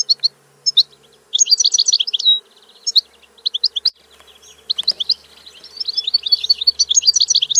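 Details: European goldfinch song in lively bursts: high twittering phrases, rapid tinkling trills and buzzy notes, separated by brief pauses and building to a fast continuous chatter at the end.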